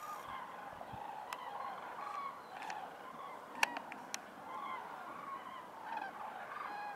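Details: On 26 February 2024 in Ljubljana, Slovenia, a flock of Common cranes, heard from an attic at home, calls in a steady overlapping chorus of rolling, trumpeting notes, with a few sharp clicks in the background.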